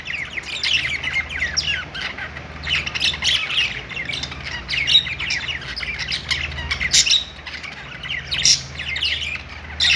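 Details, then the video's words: Budgerigars singing on a perch in a pet store: dense, overlapping chatter of rapid chirps, squawks and warbles, many birds calling at once without pause. "budgies singing on perch | parakeet chirping sounds in pet store"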